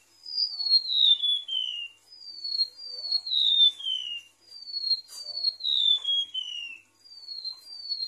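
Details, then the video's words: Golden-bellied gerygone singing on a bird-lure recording. Thin whistles glide downward in cascading phrases of several notes, repeated steadily, with a brief sharp click partway through. "PIKAT SUARA REMANTUK LAUT"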